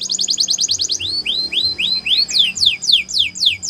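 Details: Canary training song: a quick run of about nine bright repeated notes in the first second, then slower upward-swooping slurred notes, ending in a series of steep descending sweeps at a steady beat.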